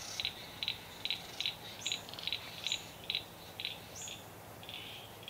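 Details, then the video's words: Satin bowerbird displaying at its bower in a country garden in Victoria, Australia, 25 July 2024: short, buzzy, clicking bursts about twice a second with a few thin high whistles mixed in. "Satin Bowerbird displaying at bower"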